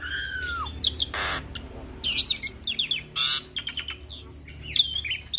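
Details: Hybrid starling delivering a phrase-rich song used to tutor Asian pied starlings and other songbirds; a falling whistle, loud rasping bursts and quick series of chirps follow one another over a faint low hum.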